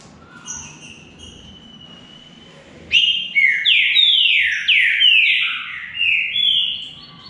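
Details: Green-winged saltator singing in a contest against a rival, opening after quiet with a strong whistled phrase of repeated downslurred notes, rich and ringing, joined into a steady flowing series lasting over four seconds.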